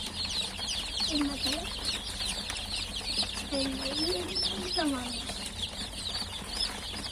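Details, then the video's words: Chicks only just hatched keep up a crowded stream of sharp, high peeps, while a few lower, drawn-out gliding sounds rise and fall beneath them. "Civciv Sesleri Gelmeye Başladı!!"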